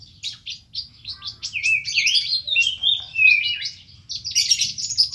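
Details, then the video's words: Actively singing kolibri ninja delivering a dense, rich song: quick high chirps run into twisting, slurred warbling phrases and buzzy flourishes, loud and continuous with few gaps. "Burung kolibri ninja gacor full isian mewah"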